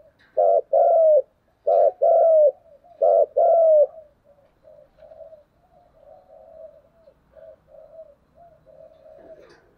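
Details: Spotted dove in cu gù đấu, the Vietnamese fighting coo used against rivals: three quick two-part phrases, brief note plus drawn-out sinking coo, then quieter soft murmuring coos trailing off.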